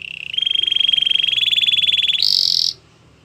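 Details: Canary training song with a long, rapid, rolling trill on one pitch that steps up midway, then jumps to a brief, higher, buzzier trill before stopping.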